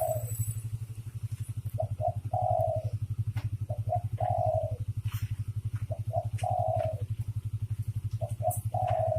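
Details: Male and female spotted dove coos repeat through the recording: clipped short notes leading into a longer hollow coo, heard over a loud, steady low hum with fast pulsing.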